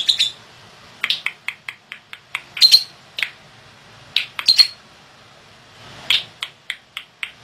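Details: Caged yellow pastel lovebird, described as active with a harsh voice, giving short sharp chirps in irregular bursts, some doubled, separated by brief pauses over a quiet background.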